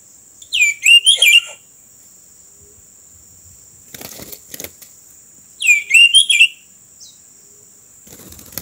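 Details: Oriental magpie-robin trapped by the roadside, giving two short bursts of loud, fluttering whistled notes about five seconds apart, with wing-flapping rustles between them and a steady high electronic whine throughout.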